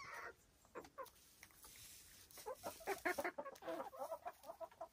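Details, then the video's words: Silkie chickens on a small Vermont homestead farm: a short squawk, then a run of quick, repeated, throaty clucks from several hens, with scratching and pecking sounds between them. "Relaxing Silkie Chicken Sounds"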